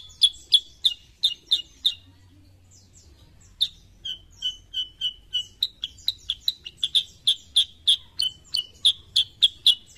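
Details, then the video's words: Sooty-headed bulbul: a run of sharp chips, a short pause with faint twitters, then softer falling notes that build back into a fast, bright, evenly repeated chipping, with a low hum beneath. "KICAUAN BURUNG KUTILANG SUTRA"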